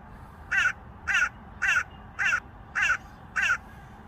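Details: Hooded crow from a small family living near an airport in Norway, calling after being fed bread: six harsh, raspy caws spaced about half a second apart, each short and even, over a quiet background.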